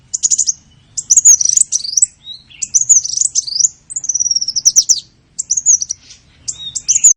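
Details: Small-bird sounds played as a lure to attract small birds: high, thin whistled phrases with quick looping chirps and short trills, repeated in bursts with brief gaps, nothing else audible.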